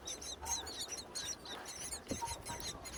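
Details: Nestling mynas in a natural nest on a tall palm tree, begging while being fed in breeding season. Quick bursts of thin, high squeaky chirps come in clusters, fairly faint against a soft hiss.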